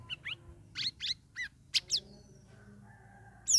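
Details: Sooty-headed bulbul, caged and group-aviary trained for three weeks, giving loud open ngeriwik ngeplong phrases: a string of short, sweeping whistled chirps, a brief quieter gap, then one final sharp note.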